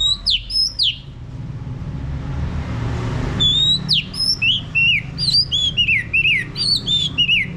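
Orange-headed Thrush song: rapid, varied whistled phrases, high and sweeping, with a brief pause before a busier run; low rumbling background noise.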